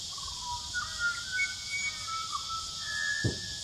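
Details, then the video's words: Pied butcherbird in New South Wales, Australia, sings rich, fluty whistles that slide up and down in slow, flowing phrases, over a steady high hiss of insects and one soft thump. "Song of the Pied Butcher Bird"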